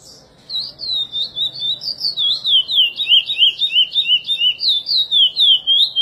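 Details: Curió (chestnut-bellied seed finch) praia-style song, edited for use in song training: after a brief quiet start, bright whistled notes roll steadily into a rippling, wavering phrase, pulsing roughly three times per second until the end.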